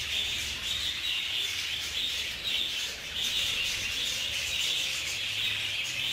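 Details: Several budgerigars squabbling in a shared aviary fill six seconds with busy, high-pitched chirping and warbled squeaks, many birds calling at once in a continuous chorus.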